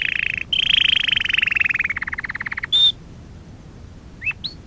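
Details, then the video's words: A Belgian canary sings for a song-training lesson recording: a fast rattling trill that slows into separate pulses, then a clear high whistle and two quick upslurred notes. "Kanarya Ötüşü - 1 (Eğitim - Ders Cd'si) / Canary Singing - 1 ( Education - Lessons Cd )"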